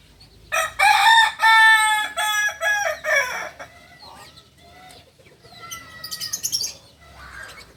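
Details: Tiered crow of a Kokok Balenggek cock, the nearly extinct singing village chicken of Solok, West Sumatra: a strong harmonic first phrase, then several chopped descending steps, fading into softer calls and rustling afterward.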